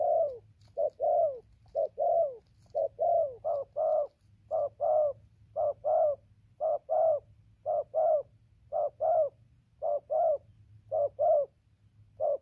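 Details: Long run of coos from a decoy spotted dove: about twenty short-then-long hooting pairs, the longer note slurring downward, spaced close to a second apart, with a soft low drone behind.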